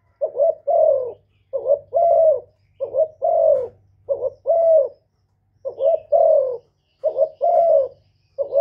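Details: Spotted dove cooing to provoke males: mellow, low coos in repeated phrases, each a short doubled note followed by a longer, slightly falling hoot. Phrases come about every second, with a pause near the middle and a faint low hum beneath.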